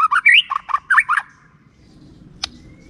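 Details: Lure song of a white-rumped shama, meant to get lazy shamas singing: a fast, loud run of varied whistled and slurred notes lasting about a second, followed by quiet and a single sharp click.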